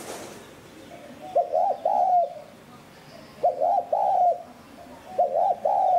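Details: Spotted dove cooing in a style meant to excite decoy doves. Three phrases of short husky notes, then a long mellow coo, spaced about two seconds apart after a brief quiet start.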